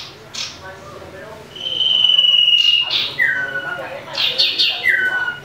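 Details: Common iora in a fighting mood, a lure sound to trigger rivals: one long level whistle, then two shorter whistles sliding downward, with soft scratchy chatter in the background.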